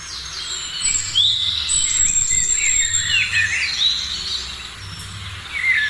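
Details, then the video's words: Several birds singing in the morning, their thin whistles, trills and quick slurred chirps crowding together, one sweet rising whistle standing out near the end, with a faint continuous low hum beneath. "Morning sounds of birds"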